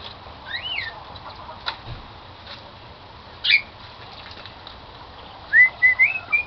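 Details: Cockatiel song from a pet bird: clear, sliding whistles, one arching up and down early on, then a rising whistled phrase with a wavering tail near the end, separated by quiet pauses and soft clicks.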